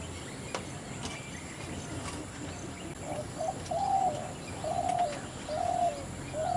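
Spotted Dove giving a soft, low, hollow coo of several linked notes, the last drawn out, over a steady hiss of background noise.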